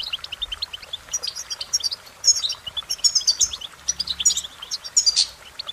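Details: Cheerful, rapid European goldfinch song: dense high twittering with sharp chirps and tinkling trills, growing louder midway, one strong buzzy note near the end, faint low hum underneath.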